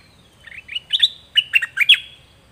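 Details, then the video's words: Song of a caged zebra finch, intended for chicks to imitate: soft introductory notes building into paired bursts of harsh, buzzy syllables, in a quiet setting. "เสียงนกดอกแตงเจ้าเพชรกับเจ้ามณี เสียงใหม่ล่าสุด2020ไว้สำหรับต่อ ใช้หัดลูกนกให้ร้องตาม"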